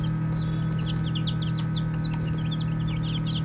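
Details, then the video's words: Playing baby chicks give soft, high peeps. The short falling notes start sparse, then grow denser toward the end. A steady low humming background runs throughout. "Baby Chicks Chirping Sounds"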